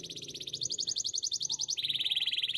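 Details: Canary singing for training purposes: a continuous fast rolling trill of evenly spaced pulses that drops to a slightly lower pitch partway through, over a soft low background hum.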